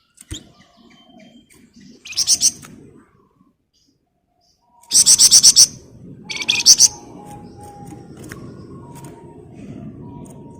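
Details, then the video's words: Flamboyan bird singing densely: a brief burst of high pulsed chips, a silence, then a loud quick series of about seven sharp, buzzy high notes and a shorter phrase, with a low background hum. "Burung Flamboyan Gacor Ngebren Rapat"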